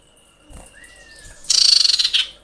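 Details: Female common iora in breeding condition calling a male. Two long, thin, steady whistles, one higher and one lower, lead into a loud, rapid, rattling chatter near the end.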